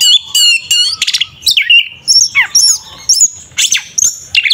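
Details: Provocative 'tarung ngeplong' fighting song of the Oriental magpie-robin, known locally as kacer, used to stir a rival's aggression; rapid harsh rattles, then clear whistles, descending slurs and chattering phrases in energetic bursts.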